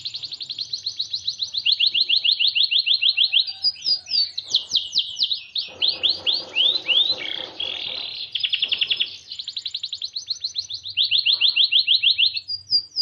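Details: Long song from a white Norwich canary: quick repeated chirp trills, a burst of sweeping slurred notes, buzzy rattling passages and more rapid trills, continuous and varied, with faint low background noise.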